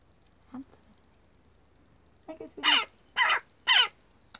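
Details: A rescued, hand-fed jackdaw chick begs with three loud, harsh, rasping squawks about half a second apart, after a couple of faint softer notes; a person speaks quietly nearby.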